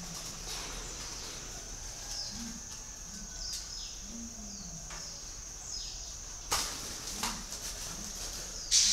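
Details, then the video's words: Spotted dove calling: a series of soft, low coos, some short and some drawn out with a gentle rise and fall, over a steady high insect drone with occasional sharp clicks and rustles. "chim cu gáy gọi"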